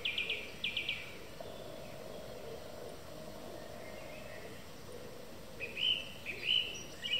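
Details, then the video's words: Song thrush singing in the evening: bright high phrases, each quickly repeated two or three times, with long pauses between bursts, over a steady background hiss. "Song Thrush singing in the evening"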